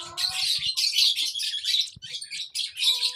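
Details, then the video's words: Baby lovebird sounds: short, shrill chirping bursts separated by brief pauses, about five clusters in three seconds. "lovebird sounds baby bird - lovebird chirping sounds"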